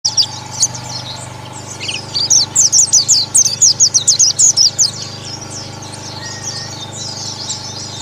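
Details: Oriental white-eye (pleci) in an ombyokan therapy recording meant to make birds sing aggressively (ngalas) and provoke rivals: a quick run of about fifteen high, thin, sharp chirps over two seconds, with softer twittering before and after.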